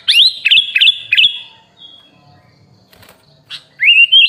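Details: Training recording of a sooty-headed bulbul: four loud, bubbling whistled notes, a thin drawn-out whistle, a near-silent stretch, then a rising slurred whistle at the end.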